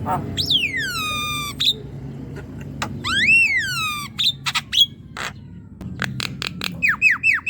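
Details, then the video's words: Singing Javan myna, used to spur a lazy young myna into song: long descending sweeping whistles, a rising-then-falling whistled phrase, sharp clicks and a closing run of short falling chirps. "Jalak kebo muda yang diam dan malas bunyi pancing dengan ini ~ jalak kebo gacor"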